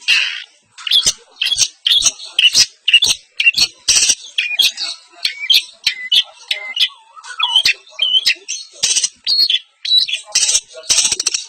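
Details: A long-tailed shrike sings its filler repertoire in East Javanese champion style. Varied high squeaks, chirps and short whistles follow one another quickly, with a lower falling slur midway.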